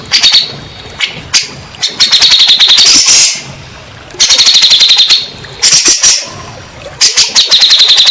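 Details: Grey-cheeked bulbul song meant as a lure for stressed, silent caged birds: fast rattling bursts of high chattering notes repeated in several runs, separated by brief gaps.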